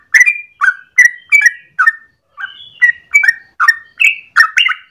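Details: Yellow-vented bulbul (trucukan) in full morning song, a long rapid 'ropel' sequence used as a lure or training master: about a dozen bubbly, slurred whistled notes in five seconds, with a brief softer pause midway.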